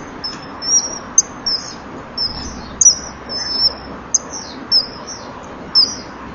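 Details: Pair of common kingfishers, male and female, calling to each other before mating, filmed by a breeding-wall camera on 18 April 2013 in the early evening; a lively run of about a dozen piercing high whistles, sharp and slightly slurred.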